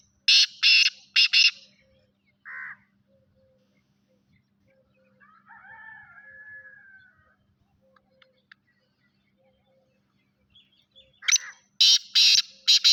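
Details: Grey francolin calling with loud, harsh, rasping bursts in a rapid group at the start and again near the end, separated by a long quiet stretch with faint distant notes.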